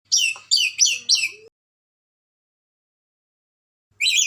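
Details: Red lory from Ambon, noted as highly vocal, firing four quick harsh shrieks in a tight burst, then a pause before one more strident call.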